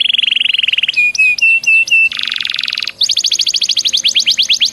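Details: Canary singing as a lure to make other canaries sing: a steady high trill, clear whistled notes, a broad buzzy burst, then a long run of rapid repeated downward-sliding notes.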